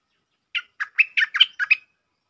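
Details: Bulbul, lure sound in the 'Chao Bank' song style with doubled notes. Seven separate chirpy, mellow notes are spaced evenly over about 1.2 seconds, and the middle notes are the loudest.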